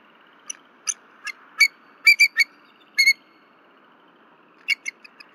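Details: After a night disturbance near 10:10 pm on February 15, 2023, a female bald eagle at the Berry College nest vocalizes loudly until her mate comes. Scattered high, sharp piping notes, some in quick pairs and triplets.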